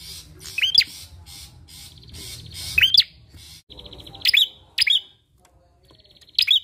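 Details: Bar-winged prinia lure recording meant to set other birds singing, with sharp rising whistled notes at uneven intervals, a buzzy high rattle behind them and brief gaps of near silence.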